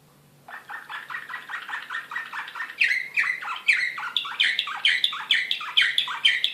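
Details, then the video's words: Serbian Slavujar canary, Belgrade 2016, in excited song: steady rapid chirps that grow louder and higher midway into ringing, sharply accented notes repeated about twice per second. "كناري هائج"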